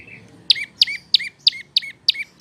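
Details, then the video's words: Seven loud, clipped chirps dropping from high to lower pitch, steadily repeated about three per second: a prinia, prenjak lumut or lancur, singing as a master song for cage birds. "Burung prenjak lumut atau lancur masteran"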